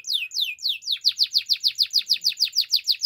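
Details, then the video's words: Belgian canary singing in the morning: a few clear descending slurred whistles, then a fast, even trill of rapidly repeated high notes, sweet and bright, with faint low clicks beneath. "Belgian canary singing in the morning"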